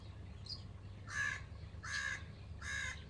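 Young Alexandrine parakeets give three harsh, raspy squawks, each about a third of a second and spaced under a second apart, over a low steady hum.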